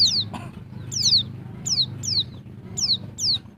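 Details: Calls of a female Bali white-eye (pleci dakbal) used to excite male birds: crisp downward-slurred high whistles, often paired, coming about every half second over faint background hum.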